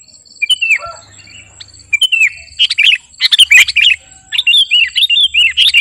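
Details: Kutilang garuda sooty-headed bulbul in song used to lure and train birds; sliding whistles and scattered chirps building into rapid bubbly warbling, with a faint steady high tone and low hum.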